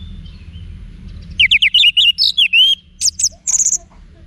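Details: Orange-headed thrush song played for training cage birds: a rapid burst of varied high whistled and slurred notes, some trilled, in a short phrase of about two and a half seconds, with low hum beneath.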